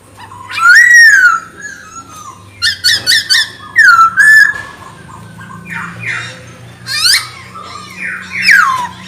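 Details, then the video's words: Chinese hwamei in full, lively song meant to provoke other birds, varied loud slurred whistles rising and falling, interspersed with short rapid chattering notes and harsh squawks, a low hum beneath. "OCEHAN Poksay Hongkong Gacor Efektif Bikin Burung Kesayangan Bos q Ikut Emosi + GACOR"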